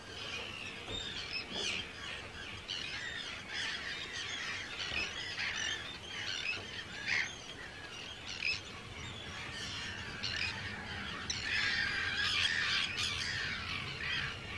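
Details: Hundreds of Arctic terns in a large breeding colony on Rottumerplaat, Netherlands, on 4 June 2023 call at once: a harsh, grating chorus of overlapping screeches and rasping notes, with higher squeaky cries over faint hiss.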